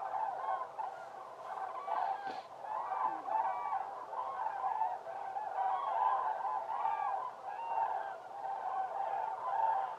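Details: A large flock of common cranes at Laguna de Gallocanta, Spain, in December 2013 calling together in a continuous chorus of loud, rolling, trumpeting bugles overlapping without pause.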